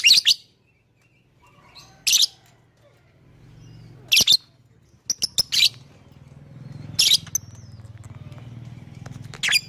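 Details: Lovebird calls used as a lure so other birds join in: piercing single chirps every second or two over a low humming background.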